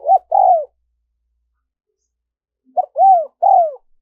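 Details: Cooing of a spotted dove, played to attract wild doves: the tail of one phrase with a long sliding coo, then after a silence a full phrase of a clipped note and two mellow downward-curving coos.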